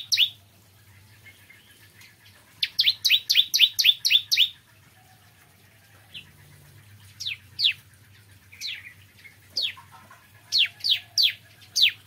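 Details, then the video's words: Morning song of a bar-winged prinia: a brief opening note, then a fast run of seven high, descending notes, followed by spaced single chirps repeated every half second or so, over a faint steady hum. "Kicauan Ciblek Kristal Dipagi Hari"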